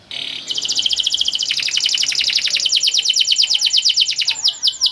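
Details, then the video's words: Long canary song played to stimulate young canaries: a short note, then a sustained rapid rolling trill of tight pulses gradually slowing into separate sweeping whistled notes, with faint background hiss. "Long Cuit Cuit Canary Masteran For Early Childhood Canary Baits to Sound Quickly || Voice of Canary"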